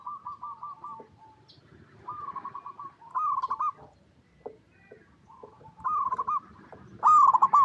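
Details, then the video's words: Zebra dove, a local perkutut, singing a lure song to draw replies from other doves: several separated bursts of quick rattling trills, each dropping slightly at the end, with a loud bright final phrase. "Perkutut Lokal Gacor RAJA PIKAT Paling AMPUH | SUARA Bikin Semua Burung Perkutut Langsung Nyaut"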